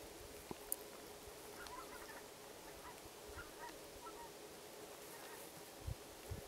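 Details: Greater white-fronted goose (Anser albifrons) flock gives faint, scattered yelping honks from a distance, with a steady low hum and a few soft knocks beneath.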